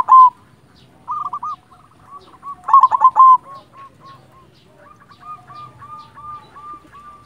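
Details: Zebra dove, local silver type, sung to provoke and motivate other doves: a loud clipped coo, stuttering phrases of fast rolling notes, then a long even series of soft, slightly rising coos fading out.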